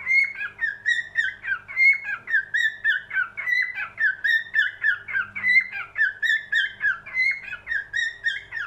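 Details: Cockatiel whistling a steady, bouncy song of looping notes, each slurring down then up, in an unbroken sequence with a short low drone midway.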